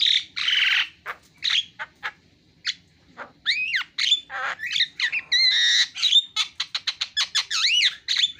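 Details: Javan myna song of harsh screeches followed by rising and falling whistled slurs and a quick series of clicking chirps, loud and close.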